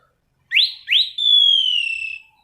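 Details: Single phrase of an orange-banded thrush's rolling song, used as a tutor and lure for training birds: two rising whistles, then one sustained clear note that gently falls in pitch.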